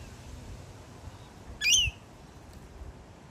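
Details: A wild rainbow lorikeet (Trichoglossus moluccanus) visiting a balcony in Melbourne, Australia, gives one harsh, grating screech, about a third of a second long, against a faint low background hum.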